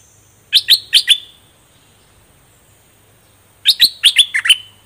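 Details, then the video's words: Fully feathered caged bulbul sings in the double style: a short burst of four sharp, chirpy warbled notes, a pause of nearly three seconds, then a second quicker phrase of about seven liquid notes. "เสียงนกดอกแตงเจ้าเพชร Ep.8 ขนเต็มแล้ว เบิ้ลล้วนๆ"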